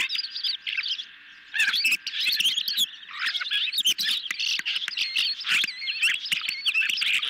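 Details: Hungry ospreys at a nest, filmed by nest camera on a July 2021 evening as a medium-sized fish is brought in; shrill chirping calls overlap in rapid bursts, with a short lull before the calling resumes.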